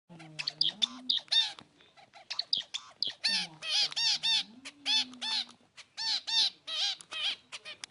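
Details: Zebra finch, a lively, active small bird, giving loud nasal, harmonic beeping calls in quick irregular bursts, with a low smooth tone sliding underneath and sharp clattering clicks from a budgerigar perched on the camera.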